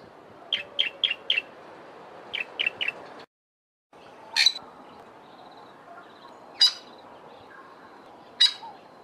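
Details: Fork-tailed Drongo in a garden in the Eastern Cape, South Africa, giving quick runs of four, then three, sharp high chips, followed by three harsh, rasping notes spaced about two seconds apart.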